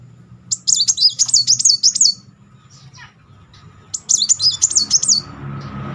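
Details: High, quick zigzag trills come in two bursts of about one and a half seconds each, from a Muncang sunbird whose rolling song serves to stir stalled birds into singing. Low background hum.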